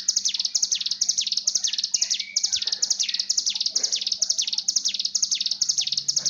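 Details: Breeding-condition call of a mountain tailorbird, played to train another bird to sing: shrill downslurred notes in a quick, steady series of about two per second, with a brief fainter whistle near the middle.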